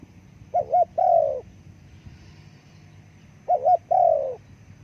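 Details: Spotted dove calling twice: a quick doubled coo then a longer falling coo, the phrase repeated after a pause of about two seconds, with low rumbling background.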